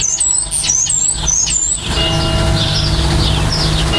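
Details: Starling at the nest during nest building: a rapid series of thin, very high whistled notes with small wavering loops, about six in under two seconds, then softer chatter under a strong low rumble.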